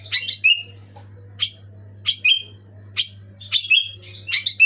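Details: Sooty-headed bulbul delivering loud, clear song to coax silent or moulting bulbuls into singing: rapid bubbly whistled phrases, first one doubled, then about five downward-slurring phrases near one per second, steady low hum beneath.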